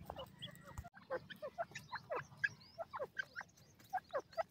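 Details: Grey francolin chicks from Pakistan feeding and playing, giving short, soft peeping chirps that rise and fall in quick irregular series, with a low rumble of background noise underneath.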